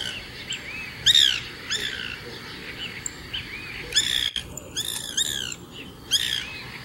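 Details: White Woodpecker (Melanerpes candidus) calling to communicate with other woodpeckers and mark territory: loud, short, dry, arched notes in rhythmic, laugh-like bursts, with gaps of one to two seconds between groups.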